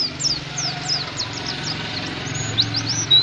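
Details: Oriental white-eye song played to stimulate caged birds to sing, heard as high, thin descending slurred whistles in quick succession, with a steady low hum underneath.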